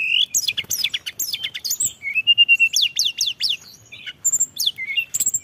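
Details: White-browed shortwing lure recording with many fills: fast descending high whistles in bursts, a level held note, more cascading slurs, and sparse high pips.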